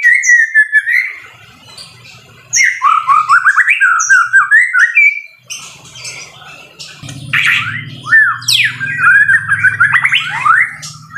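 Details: Caged fighter white-rumped shama delivering a loud forceful song: bursts of fast, varied whistles and sharp upward-sweeping notes with brief pauses between phrases, about two notes a second, over low background rumble.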